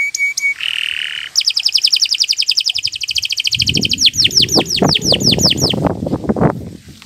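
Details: Canary in long song used to tutor other birds, starting with short whistles and a buzzy note, then a rapid trill turning into slower downslurred notes, with low thumping background noise.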